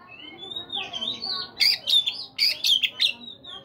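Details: Morning song of a caged Oriental magpie-robin: soft warbling whistles build into five loud, rasping, chattering bursts in quick succession, then a fading whistle.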